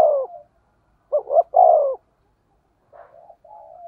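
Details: Lure recording of a spotted dove in 'thổ sấm' thunder-voice style: the end of one coo, then a full phrase of two short notes and a drawn-out falling coo, followed by softer, quieter coos.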